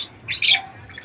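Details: African lovebirds in an aviary: a single short, shrill, harsh chirp bursting high and bright, lasting under half a second, then quiet.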